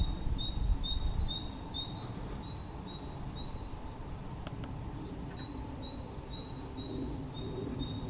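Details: Short-toed treecreeper at Perekker, March 2018, giving thin, high, piping notes in quick repeated runs with brief pauses, over a steady low rumble of wind or distant traffic.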